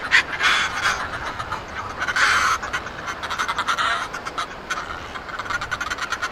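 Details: Northern fulmars during noisy courtship at a cliff-top nesting colony in early summer on a sunny morning at Foreness, Southeast England: raucous, rapid squawking cackles rising and falling in bursts over steady surf and wind.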